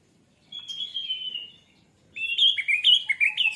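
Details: Orange-headed thrush song used to provoke singing: a drawn-out, slightly wavering high whistle, a short silence, then a loud, rapid run of varied whistled and twittering notes.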